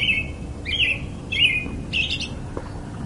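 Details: A robin's varied melody of brief chirpy, warbling phrases, each a sharp high note trailing into a short buzzy tail, delivered in quick succession above faint low rumble.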